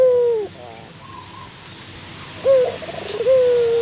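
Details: Local zebra dove, a vocal bird kept as a lure to prompt other doves to answer, giving short low cooing notes with a long quiet gap before two more coos, over steady faint background hiss.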